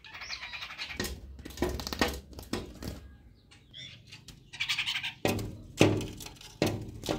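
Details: Early-morning chestnut-tailed starlings interacting with each other, giving squeaky, chattering calls in short bursts, broken by loud knocks and thumps close by; Chestnut-tailed starling.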